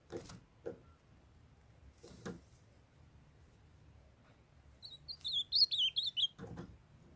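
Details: Young male ultramarine grosbeak singing, a female calling nearby to get him going; soft dull thumps at the start, then a brisk phrase of about eight liquid, up-and-down whistled notes, followed by another thump.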